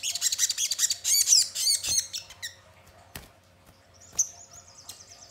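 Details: Crimson sunbird song played as a lure to get birds singing and responding: a fast, dense volley of sharp, high twittering notes, then sparse clicks and a thin, high trill near the end over a quiet low hum.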